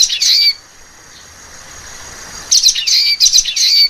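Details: Common waxbill: a short burst of sharp, high chirps, a quiet pause of two seconds with soft hiss, then the rapid, slightly nasal twittering starts again.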